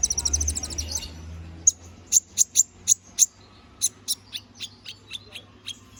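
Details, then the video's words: Canary in prolific 'gacor ngobra' singing, used as master song for training magpie-robins: a fast high rattling trill, then a run of sharp, evenly spaced high chips about every quarter second, fading into softer repeated notes. "Suara BURUNG KENARI GACOR NGOBRA! Cocok untuk masteran"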